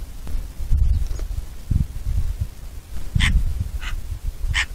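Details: Eurasian magpie: three brief, dry, grating call notes near the end, roughly two-thirds of a second apart, after a stretch of deep wind buffeting.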